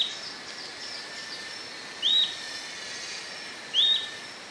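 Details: Two high, rising whistled notes from an Atlantic royal flycatcher, nearly two seconds apart, with a continuous hissing natural background.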